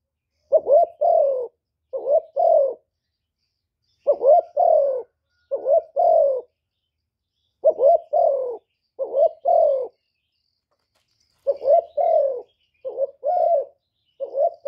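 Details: Cà Mau decoy spotted dove calling to attract wild birds, delivering grouped bursts of cooing. Three or four short wavering coos come in each cluster, and the clusters are separated by brief silences, with nothing else audible.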